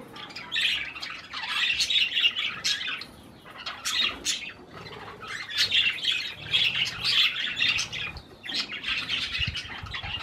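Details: Several parakeets eating cherry tomatoes produce loud, continuous scratchy warbling and chirps in waves, dipping briefly before resuming.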